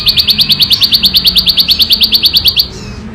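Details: Bar-winged prinia in the wild giving its loud, clear ngebren song: a rapid, even run of high sharp chips, about seven per second, stopping abruptly after under three seconds.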